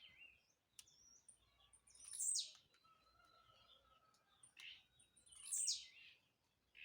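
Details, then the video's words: Blue-black grassquit that leaps as it sings, giving a sharp, high, buzzy descending note twice, roughly three seconds apart, each preceded by a softer chirp, over quiet scattered ticks. "Tiziu pulador não tem lugar ruim pra ele cantar"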